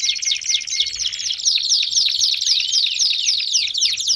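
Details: Baderna-style canary song used to get other canaries singing: quick rhythmic trills of sharp descending notes, nearly four per second, with a low rising slur midway.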